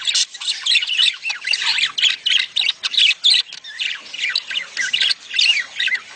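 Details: Budgerigar mating calls meant to stimulate egg laying in a female. Choppy bursts of squawky, chirping warble follow one another rapidly, each a fraction of a second, forming a lively high-pitched chatter.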